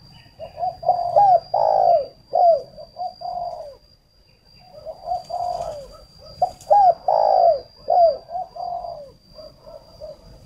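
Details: Decoy spotted dove for luring repeats its low, hollow cooing phrase twice, each built from short clipped notes and one long drawn coo, with a faint constant high whine behind.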